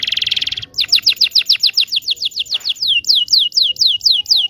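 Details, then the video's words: Local Indonesian canary singing to teach young canaries: a short buzzy trill followed by a long series of rapid, sharply falling whistled notes, about four per second, slowing slightly toward the end. "PANCINGAN KENARI MACET BUNYI.. PANCINGAN KENARI PAUD BELAJAR BUNYI"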